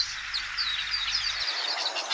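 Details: Orange Weaver colony in Cameroon marshes and wetlands (Sanaga River Delta to Waza National Park edges), hundreds of males weaving nests: dense, overlapping high chirps and thin squeaky notes over soft background hiss.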